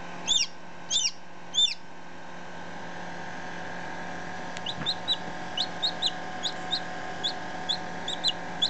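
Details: Newborn chicken chicks close up, one ten minutes old and one a day old: three loud, high, down-slurred peeps, then quiet, then a quicker string of softer, thinner peeps, all over a low steady hum.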